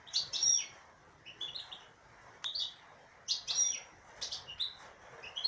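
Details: Female European goldfinch giving two bright bursts of twittering song, each opening with a high thin whistle and followed by tinkling, buzzy notes, with a quieter pause between them.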